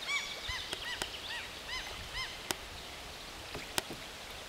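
Goosander: a quick run of short, arched, nasal notes through the first two seconds, then quieter, with a few sharp clicks or knocks.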